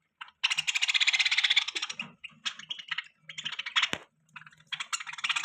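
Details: Budgerigar warbling in fast, pulsing chirrups, a long buzzy run followed by shorter broken phrases and a sharp click.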